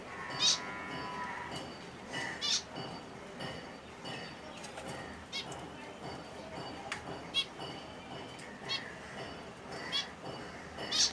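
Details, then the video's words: Finches of various species chirp in their natural habitat: short, high, sharp chirps and brief trills come from several birds at irregular intervals, about one every second, over a steady, murmuring background. "Enjoy the Serene Sounds of Finch Birdssong || ফিন্চ পাখির শব্দ || ফিন্চ পাখি কেমন করে ডাকে"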